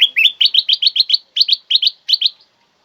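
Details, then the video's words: Loud, clear black-crested bulbul song meant to make other birds sing along and to lure them: a fast run of about fifteen bright rising whistled notes in quick clusters, with short pauses between groups. "Jadikan kutilang emas anda emosi dengar suara kutilang emas ini"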